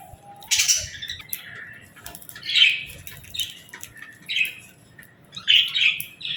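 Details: Budgerigars in the evening at feeding time with seeds and millet, giving scattered harsh squawky chirps in short bursts, some louder, with quieter twittering between and faint background clicks.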